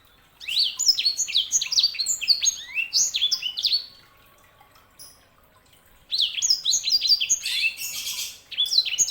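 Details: Sanger canary hybrid singing long, tumbling phrases of rapid high chirps and whistles, with a quiet gap of about two seconds midway before another energetic burst.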